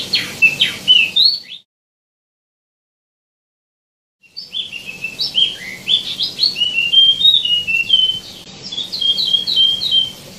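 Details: Wambi mini, also called tieumi, singing actively with abundant varied phrases: quick high whistled chirps and short downslurred notes in a rapid stream, broken by a silent gap of about two and a half seconds, then resuming in dense trills.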